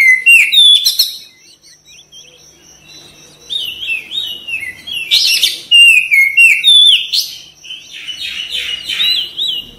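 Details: Kacer, the Oriental magpie-robin, in full song meant to stimulate quick response and tail opening: loud bouts of varied whistles, slurred rising and falling notes and harsh chattering bursts, separated by a quieter pause.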